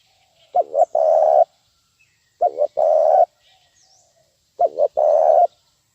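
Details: Spotted dove 'nguku' lure call for bird training, three phrases spaced about two seconds apart, each two clipped coos then a prolonged smooth coo; faint high chirps from other birds between.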